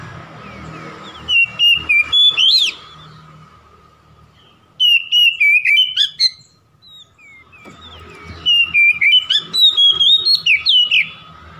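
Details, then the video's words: Oriental magpie-robin singing to stir a rival: three loud bursts of quick whistled notes with rising flourishes, separated by pauses, over a steady low hum. "PANCINGAN CEPAT MEMBAKAR EMOSI lawan"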